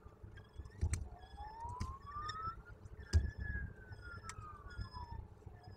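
A siren wails, rising and then falling in pitch, over low traffic rumble and scattered sharp clicks, with no animal voice heard.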